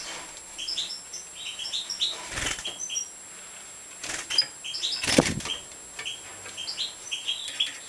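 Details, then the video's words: Major-form European goldfinch during feeding: a steady stream of thin, high chirps, broken by three sharp flapping or knocking bursts that cut through the calls. "Stieglitz Major Fütterung"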